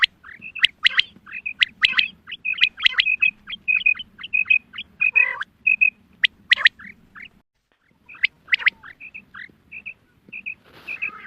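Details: Hunting calls of female quail: busy overlapping whistles and sharp buzzy bursts, a brief silence near seven seconds, then scattered paired whistled notes over a low hum.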